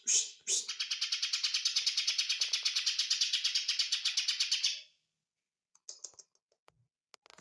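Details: Small leafbird, known locally as ijo mini, kept as a songbird; a sharp note, then a rapid even rattle of high buzzy notes lasting four seconds that stops abruptly, followed by a few scattered clicks.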